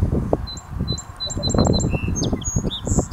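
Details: Song sparrow in Annapolis, Maryland, sings a run of quick, high repeated notes, then brief buzzy and trilled phrases, over a steady low rumble of wind or traffic.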